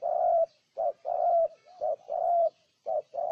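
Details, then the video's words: Spotted dove of Ninh Thuận, Vietnam, cooing loudly and close. Long hollow coos alternate with brief notes, with almost no gaps. "Cu Gáy Ninh Thuận"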